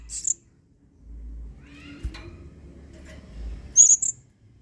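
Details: Blue-crowned hanging parrot singing in 'main singa' style as a model for other birds: one short high squeak at the start and another sharp, piercing note near the end, with quiet rustling between.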